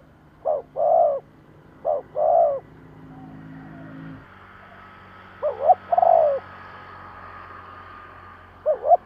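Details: Decoy spotted dove cooing to lure wild doves, in the style called thúc gù: three two-part phrases, each a short coo followed by a longer, fuller one. The phrases are spaced irregularly over a low steady hum.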